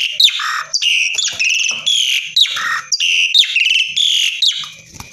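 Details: Asian pied starling singing in the lively gacor dorr style: loud, varied phrases of bright whistles, harsh buzzy notes and rapid chatters, changing pitch every half second with barely a pause.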